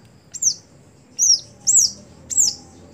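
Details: Four sharp, very high downslurred whistles, spaced irregularly, from a caged greater green leafbird (cucak hijau), a contest songbird that no longer performs at competitions.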